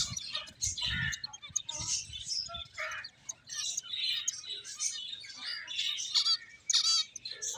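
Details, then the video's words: Playing finches fill the air with busy, high-pitched twittering and chirps from several birds at once, some notes squeaky and slurred, with low bumping noises early on. "Cute Birds Chirping Sounds | Beautiful Finches Playing"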